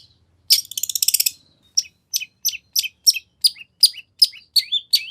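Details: Lure song of a long-tailed shrike, full of fill-in phrases: a short scratchy rattling trill, then a regular series of sharp downslurred chips, the last few turning into wavering whistled notes.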